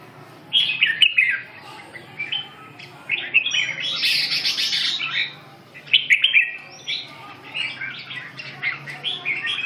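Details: Red-whiskered bulbul singing in short bursts of bright warbled notes, quick chirpy phrases separated by brief pauses, over a low steady hum.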